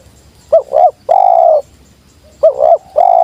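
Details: Spotted dove, a wild bird coming down, calling in the sweet 'jergot' style: a brief wavering double note followed by a long level coo, the phrase repeated twice in a quiet setting.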